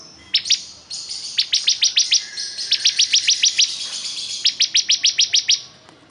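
A bar-winged prinia sings bright, high, sharp notes in fast runs of about three to four per second, in three bursts with short breaks. No other sounds stand out.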